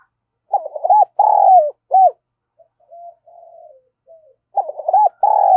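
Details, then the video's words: Decoy spotted dove in Vietnam cooing to lure wild doves: pairs of hollow, mellow coos in quick bursts, then soft, low murmured notes, then another run of loud paired coos. "Chim Cu Mồi Thúc Và Gáy Gọi Bổi"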